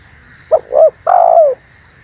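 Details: Spotted dove used to lure wild doves, one phrase: two short hooked notes followed by a half-second coo that slides downward, over a quiet steady hum.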